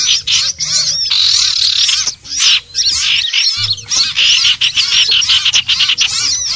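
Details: Common iora lure call for bird trapping: bursts of high chattering and whistled slurs separated by short silences, including a clear gap just after three seconds.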